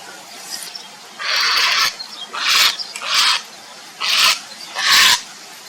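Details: Grey heron (Ardea cinerea) calling for a mate: five harsh, rasping, hissy calls, each about half a second long, at uneven intervals over a quiet background.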